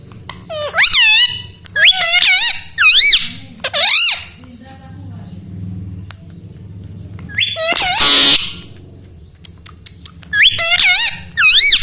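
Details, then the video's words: Pet ringneck parrot talking indoors in a small room: a string of high, wavering word-like calls with swooping pitch, one harsh noisy squawk near the middle, and a human voice murmuring underneath. "parrot talking everything"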